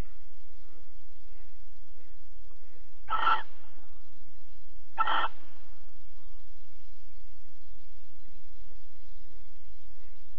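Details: Barn owl in Alphen, 22 April 2020, mating and cuddling at 21:37: two short, harsh hissing screeches about two seconds apart, then a long quiet stretch with only a low hum.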